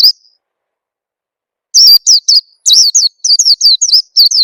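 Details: Oriental white-eye lure call for making birds sing fast: one thin chirp, a pause of over a second, then a brisk run of high, twisting, downslurred notes, several arriving in close pairs, quite loud and clean.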